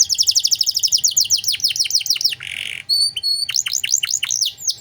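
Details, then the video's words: Canary song used as a master recording for training other songbirds: rapid series of high descending sweeps, a harsh buzzy burst, thin pure whistles, then more fast downward-sweeping notes. "Masteran Kenari Gacor Cengkok Mewah untuk Burung Bahan"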